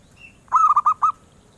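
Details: A single phrase from a zebra dove's melodious song, a bird sought by collectors: five rapid, rounded coo notes in a stuttering run lasting about half a second.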